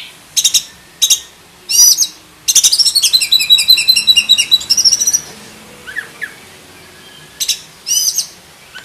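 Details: Black-breasted oriental magpie-robin in a cage, singing the rich varied song prized for tutoring other birds. Several loud rasping bursts lead into a long, rapid high trilled chatter. Quieter whistles and further buzzy notes follow.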